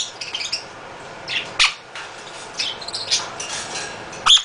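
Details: Captive male half-moon conure at a bird rescue, often very loud, making scattered short shrill squawks and chattering notes spread unevenly across a few seconds.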